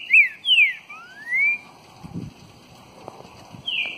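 Green-winged saltator singing rich, clear whistles: a quick down-slurred note, then a long rising slide and another falling whistle. Faint low knocks in the background.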